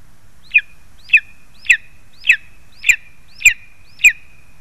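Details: On 2 August 2020 lesser spotted eagle parents deliver food to their young: after a short silence, seven loud, regular yelps follow, each a quick upward whistle with a clipped falling end, about every 0.6 seconds.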